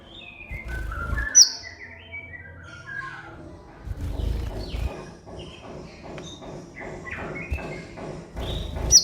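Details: Van Hasselt's sunbird singing energetically on a master recording used to train caged birds. Busy, rapid high chirps and whistled slurs, with piercing high notes at the start and end. Repeated low thuds run underneath.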